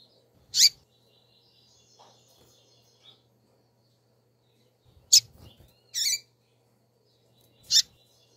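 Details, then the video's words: Female double-collared seedeater calling: four sharp, high, buzzy chips at irregular gaps. One is a doubled burst. Faint thin whistles and light knocks sit between them over a low hum. "Turbina Coleiro Fêmea piando chamando"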